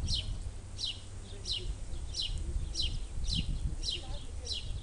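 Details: Baby spotted flycatchers in the nest as the mother brings food give a run of sharp, high, downward-sweeping squeaks, roughly one every half second, over low rumbling background noise.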